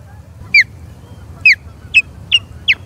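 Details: Osprey in a skirmish with an intruding third osprey at the Charlo nest, 21 April 2022: five loud, piercing whistled chirps, the first two downslurred, the last three shorter and flatter, speeding up toward the end.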